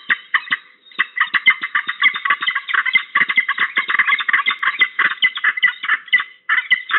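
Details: Peregrine falcon on a short visit at Trzebież Forest District, Poland, 21 November 2022, giving a long unbroken series of harsh, rapid chattering notes, several per second, with no other sounds.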